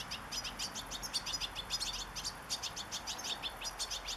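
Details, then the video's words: European goldfinch singing in nature: a rapid, unbroken twitter of short, high, tinkling chirps, densely packed over about four seconds, with steady soft background hiss. "صوت حسون في طبيعة"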